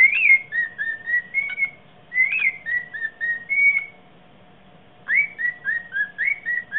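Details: Bird singing after mating, from a funny clip, indoors: bursts of short clear whistled notes, rising and falling, in quick phrases of six to eight notes, with a pause between phrases and a faint steady hum behind.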